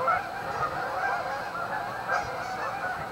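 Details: Dense overlapping honks of a Canada goose flock gathered at a staging area on Amber Trails Lake, Winnipeg, an even, unbroken wall of calling.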